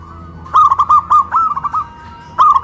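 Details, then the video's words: Zebra dove, a local bird kept in a cage raised on a pole in West Java, delivering loud rolling coo phrases of short clipped notes, a pause, then the next phrase starting. "PERKUTUT LOKAL SUARA BESAR VS SUARA KRISTAL"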